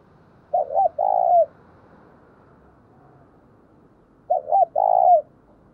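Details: Caller spotted dove in the thúc and gáy gọi styles. Two short phrases of quick double notes and a long rolled coo, about four seconds apart, over steady background hiss.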